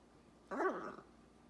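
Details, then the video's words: A pet talking macaw utters one brief, voice-like word of about half a second, its pitch rising then falling, against a quiet background. "Nonstop Talking Macaw"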